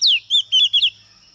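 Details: Oriental magpie-robin hen, a lure bird meant to provoke males, gives a bright downward-swooping whistle followed by three quick warbling notes in under a second. A faint continuous high tone persists underneath.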